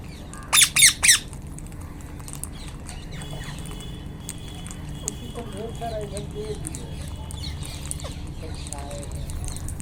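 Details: Wild Indian ringneck parakeets: three loud, harsh, rasping screeches in quick succession near the start, then faint scattered chirps and a steady low hum for the rest.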